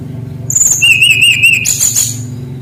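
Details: Short whistled phrase from a brown-chested jungle flycatcher used as a tutor for untrained birds: a high thin note, then a wavering whistle, then a burst of high chatter, over a steady low hum.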